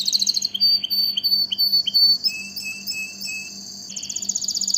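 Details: Singing canary gives a varied phrase of clear sustained whistles and short upslurred notes at different pitches, ending in a quick buzzy roll; a soft low hum runs throughout.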